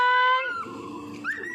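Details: Talking parrot: a steady, clear whistled tone held for under half a second, then a lower, voice-like stretch of speech-like babble, ending on a short rising note.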